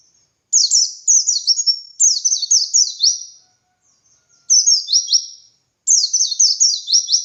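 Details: Lively ngalas song of a dakun white-eye, meant as a master recording to teach other white-eyes: four long bursts of quick, sharp, high downward-sliding notes, each phrase tumbling in pitch, separated by short silences.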